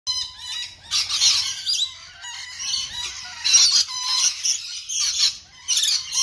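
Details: Several captive rainbow lorikeets feeding on an apple, giving continuous harsh, screechy high calls and squeaky chatter in overlapping bursts, with some soft low rustling beneath.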